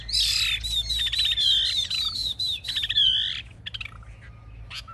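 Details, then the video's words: Chinese hwamei kept in a cage, a hard-fighting bird showing raised wings and a spread tail, pours out a loud run of high whistled notes mixed with rapid buzzy trills, trailing into scattered chips. "Họa mi chơi cánh cao đuôi xòe - Em này đấu ác"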